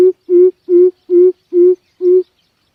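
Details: Coucal lure call used to attract birds for trapping: six deep, even, hollow hoots in a steady series, about two or three per second, very clean with no other sounds.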